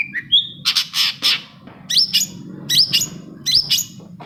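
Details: A long-tailed shrike sings a lure song meant to get silent shrikes singing: a high whistled note, then harsh rasping bursts and three repeated upslurred chirps ending in scratchy notes.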